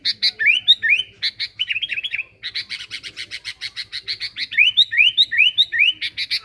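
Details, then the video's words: Sooty-headed bulbul as a lure sound. Lively, rapid chirping with rising slurred whistles, about two notes per second, over a faint low hum. "Pikat Kutilang gacor"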